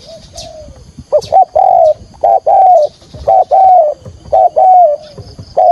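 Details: Spotted dove calling to lure birds for trapping: repeated phrases of two quick coos then a long drawn-out hooted note, about once per second, with faint higher chirps in the background.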